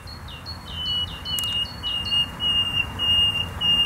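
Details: Nightingale singing in the Poznań Botanical Garden, Poland: a run of about ten quick, sharp whistled notes, each dropping in pitch, followed by long, pure, sustained whistles; soft background hum.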